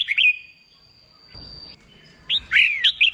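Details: Red-whiskered bulbul, a wild-caught novice bird in contest song training, gives a few liquid whistled notes. A long steady high tone follows, then more arching whistles.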